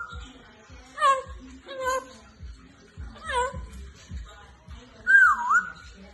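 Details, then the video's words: Talking pet African grey parrot gives three drawn-out, falling, mewing-like calls about a second apart, then a single wavering whistled phrase, with soft rhythmic low knocks underneath. "Our talking African Grey Parrot"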